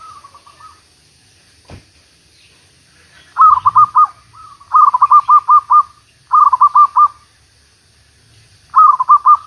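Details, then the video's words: Zebra dove used as a decoy for trapping after a week of continuous rain, Malaysia; bursts of rapid, bubbling, trilled cooing notes, each phrase about a second long, repeated several times with quiet gaps, plus a single knock. "MEMIKAT MERBUK / PERKUTUT ... MIKAT SELEPAS HUJAN BERTERUSAN SEMINGGU"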